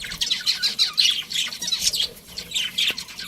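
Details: Budgies in a breeding colony keep up continuous high, rapid, overlapping chirps and twitters.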